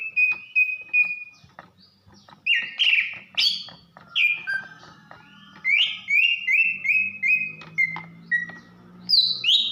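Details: Banyuwangi greater green leafbird female, kept bird calling to arouse a male: clear flat whistles, then rising buzzy phrases and a long descending run of repeated whistled notes, with a faint low hum beneath.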